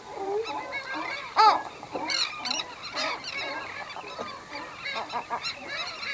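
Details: Western gull pair at the nest giving low-intensity anxiety calls: short, nasal, honking notes in an irregular series, with one louder, rising yelp near the start, and faint calls of other birds, possibly terns, in the background.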